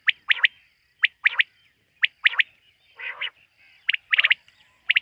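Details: Quail calling at night, heard in the context of quail hunting: sharp, clipped triple notes, high and bright, repeated roughly once a second, with a softer, rougher burst in the middle of the series.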